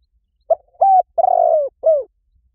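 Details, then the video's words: Lure recording of a spotted dove for attracting doves. One full phrase: a brief hooted note, a flat steady coo, a long burry coo sliding downward, then a short dropping coo. The tones are deep and mellow, with nothing else heard. "เสียงนกเขาใหญ่ หมานๆ ต่อเข้าเร็ว ป่าไหนก็เข้า"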